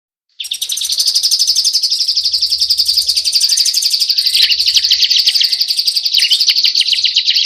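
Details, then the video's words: Kapas tembak song played as a training recording for other birds: a loud, dense, fast run of high chattering and trilled notes, about four per second, continuing without pause. "masteran kapas tembak | besetan rapat durasi panjang"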